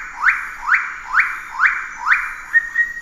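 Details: Pale-billed sicklebill giving a series of rising, slurred notes about every half second, each sweeping up from low to a strained, buzzy top, ending with a short flat whistle.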